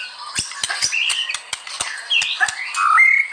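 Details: Murai batu (white-rumped shama) singing energetically, used as master song for training: a busy mix of dry clicks and short snapping notes broken by brief whistled and slurred phrases, ending in a sustained high whistle.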